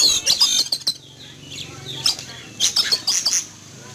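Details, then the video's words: Oriental magpie-robin in a cage outside in the morning, alarmed by a passing eagle; quick series of rough, scratchy notes, a brief lull, then a renewed rapid volley of harsh high calls. "Kicau Burung Kacer Ketakutan Melihat Burung Elang Terbang"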